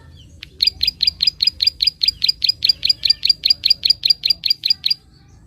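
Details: A prinia's clicking call, played to stimulate young birds. After a brief single note, a run of about twenty high, crisp clicks follows at an even pace, then stops. Quiet background.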